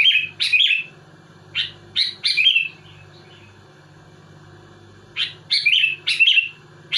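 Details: Sooty-headed bulbul (kutilang) in lively song, said to be provoking rival bulbuls: short bright chirpy phrases in loud bursts, some doubled, separated by pauses of about a second and a long gap mid-clip, over a steady low hum.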